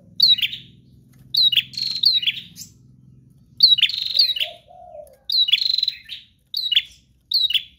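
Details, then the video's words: Bar-winged prinia in full, unbroken song, shrill chirp phrases repeated every second or so, one short lower warbled note, low hum fading out. "Prenjak GACOR Ngotot Full Durasi Tanpa Jeda||Bikin Prenjak Anda Ikut GACOR"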